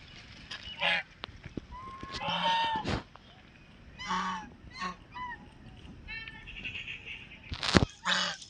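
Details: Pet white call duck quacking: loud, harsh, nasal quacks in short bursts, some doubled, about six across eight seconds with quiet gaps between, over faint background clatter and a few sharp clicks.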